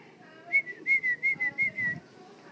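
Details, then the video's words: Pet parrots kept at home give a clear whistled phrase of about six short, slightly falling notes, evenly spaced over a second and a half, over a faint background murmur. "Talking parrots"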